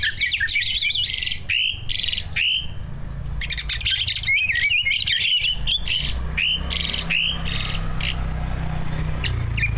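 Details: Greater green leafbird, a competition bird with a full mimicry repertoire, offered as a lure to get other birds singing: loud, rapid run of whistled slurs, trills and sharp chirps in quick succession, over a steady low hum.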